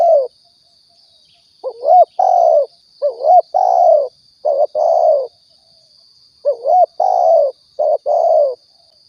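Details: Spotted dove recording from Riau, played as a hunting lure: two bursts of coos after a pause, each a rising, bent note followed by flatter, hoarse notes, with a constant thin high whine behind.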